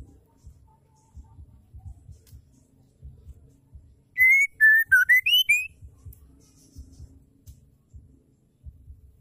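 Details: A female white-rumped shama sings to encourage males to sing. One quick phrase of pure whistled notes, a level note, a dipping note, then rising notes, over quiet low background thumps.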